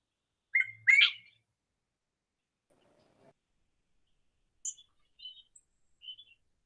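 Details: A native New World quail in weedy scrub near El Romeral reserve, southern Aburrá Valley, Colombia, gives a clear whistled phrase of two or three slurred notes, followed by a few thinner, higher whistles.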